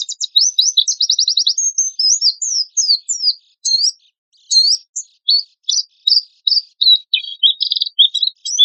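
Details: Oriental white-eye in full harsh 'tembakan kasar' song, used to lure other birds into singing: opens with a fast buzzy rattle, then varied high twitters, a clear pause near four seconds, and a closing trill.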